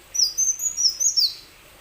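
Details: Plain sunbird singing as a lure to get other sunbirds singing: a quick run of about six high, piercing twittered notes, slurring up and down and ending on a downward sweep. The background is otherwise quiet.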